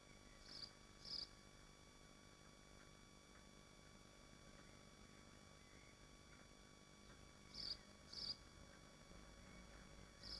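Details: Swifts at their nest in Machynlleth within the Dyfi Biosphere: two pairs of brief, piercing high notes, each pair spaced about half a second, separated by a long hum-filled pause, then one more note at the end.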